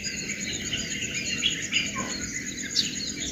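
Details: Birds singing in the morning: a few sharp, high chirps and brief twittering notes stand out against a steady, dense insect drone.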